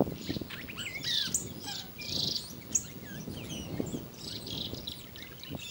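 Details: On the road to Cambá Trapo, Iberá, Corrientes, on 28 July 2016, a yellow cardinal sings bright, high warbled phrases and quick chirps, roughly one burst a second. Other small birds chatter over a low rumbling background.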